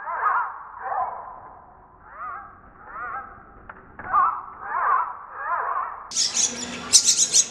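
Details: Hungry common myna chicks in India taking food from their mother: a series of harsh, wavering, rising calls repeated about once a second, followed by a burst of very high, hissing, rasping notes at the end.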